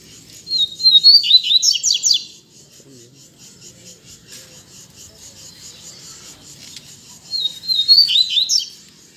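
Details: Caged coleiros (Double-collared Seedeaters) back in song instead of moulting, used as a stimulating 'puxada' for other birds. Two quick bursts of high, buzzy, tumbling notes are heard, about six seconds apart, with faint background noise between them.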